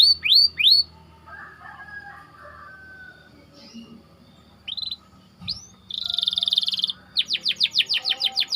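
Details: White canary's rolling training song: a few swooping whistles, quiet low warbles with pauses, then a loud buzzy roll and a fast run of rhythmic repeated notes.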